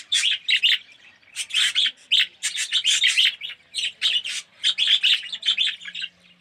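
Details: Colony of budgerigars in an aviary, red-eyed and yellow birds among them, chattering in short scratchy chirps and warbles, bursts tumbling one after another with brief gaps.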